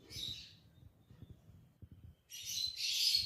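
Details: Lovebirds give a brief burst of shrill, buzzy chirping, then near silence with faint low knocks, then a louder, longer burst of rapid chirps.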